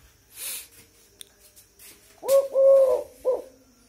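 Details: At almost eight at night a tame Eurasian collared dove keeps calling, delivering one clear three-note coo, brief, long and level, then clipped, after a stretch of soft room noise.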